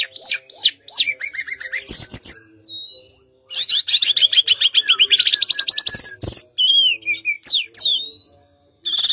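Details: Mangrove blue flycatcher in full song: looping whistled notes, then a long fast run of repeated high chips, sliding whistles and sharp upswept notes, with brief gaps between phrases.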